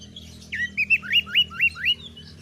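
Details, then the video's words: Oriental magpie-robin singing gacor from a cage, kept as a master for fighting birds: six evenly spaced, hooked, rising whistles over a low humming background. "MASTERAN KACER GACOR || Kacer gacor tes mental burung lain agar fighter"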